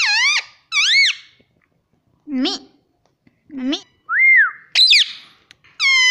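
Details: Talking Indian rose-ringed parakeet repeating "mummy": shrill nasal syllables in pairs, lower voiced chirps, an arched clear whistle and a final high wavering call, delivered in quick bursts over six seconds inside a small room.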